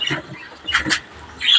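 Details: Captive breeder budgerigars kept with parakeets, giving short harsh squawks and chattering bursts, three loud clusters within under two seconds.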